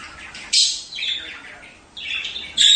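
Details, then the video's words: Budgerigar breeding-stimulation sounds: a sudden harsh squawk, then a softer descending warble of raspy chirps and another loud, grating burst at the end. "أصوات تحفيز طيور البادجي عن التزاوج"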